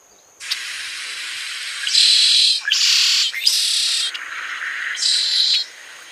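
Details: Red-shouldered blackbird in Cuba delivering a long run of harsh buzzy phrases lasting about five seconds, alternating louder rasps and lower scratchy stretches, ending in one more strong buzz.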